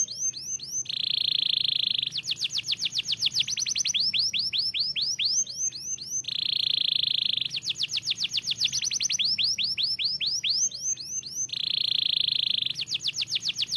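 A canary sings fast tours of high, swooping whistled notes that alternate with a dense, buzzy rolling trill. The pattern repeats about every five seconds.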